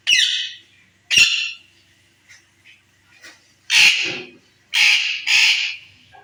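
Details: Indian ringneck parakeet kept as a talking pet, young and ready for first breeding: harsh raspy squawks in separate bursts, some doubled, with short gaps between.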